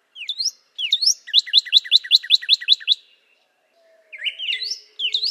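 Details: Northern cardinal phrase of upward-swept whistles, then roughly eight rapid repeated downslurred notes. After a pause, buzzy rising slurs come in again, with a faint low tone in the gap.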